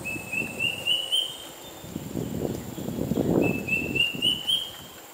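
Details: Square-tailed drongo-cuckoo, an uncommon resident in Singapore, calling: two runs of thin whistled notes, each series rising steadily in pitch over about five notes, with a steady insect drone and low rustling behind.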